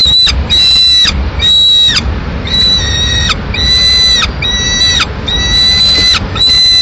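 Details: In Madrid, Spain, a lone peregrine falcon chick still in the nest calls while its mother brings a pigeon; piercing, level, harmonic wails, each about half a second long, repeated roughly once a second against background hum.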